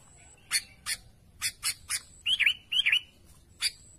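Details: Sooty-headed bulbul calling to its companions: sharp, bright chirps scattered across four seconds, with two louder slurred whistled phrases dipping and rising near the middle, over a faint low background rumble.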